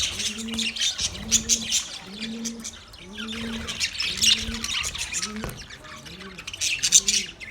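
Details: Parrots chirping, recorded 20 November 2023: a dense chorus of high, rapid chirps and tweets throughout, over low, arched, cooing calls repeated about every 0.7 seconds.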